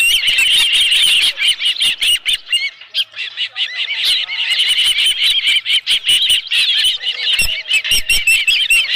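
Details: Osprey nest on 11 July 2018 near 12:41 PM with a live fish: steady stream of shrill, arched whistled chirps, several callers overlapping, interspersed with crisp clicks and taps.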